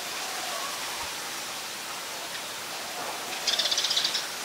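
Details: Scaly-breasted munia, a very common resident of Ubon Ratchathani, Thailand, recorded 31 December 2020: after a stretch of rushing hiss, a quick series of about eight very high, sharp notes comes in a rapid, fairly even burst near the end.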